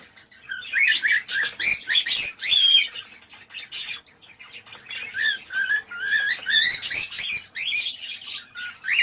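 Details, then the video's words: Cockatiel mating call for encouraging pairs to breed: a lively run of rising, whistled notes with buzzy edges, repeated several times a second in uneven bursts, with short gaps between phrases. "تحفيز طيور الكوكتيل على التزاوج - تزاوج طائر الكوكتيل - أقوى صوت تحفيز"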